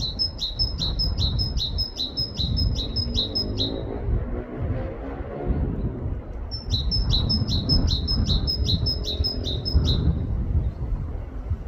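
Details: Two bouts of rhythmic great tit song in a UK forest, each a string of around ten rapid high two-note pairs lasting nearly four seconds, separated by a pause filled with heavy low rumble.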